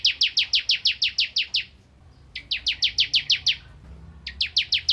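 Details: Crystal prinia singing keenly as a training recording for white-rumped shamas: three quick bursts of high, clean, evenly spaced chipping notes with short silences between them.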